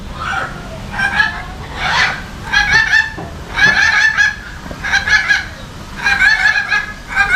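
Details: Salmon-crested cockatoo at Jurong Bird Park in Singapore, visited on February 14, giving loud harsh screeching calls in repeated bursts about once a second, each rich and raspy, with faint background voices.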